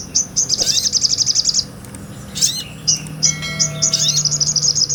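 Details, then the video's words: Small nectar-eating sunbird, called sogon, singing in a real recording used as tutor song for other cage birds; long high-pitched rapid trills of sharp notes, broken by a few sweeping chirps and a short gap. "MASTERAN SOGON NGOBRA"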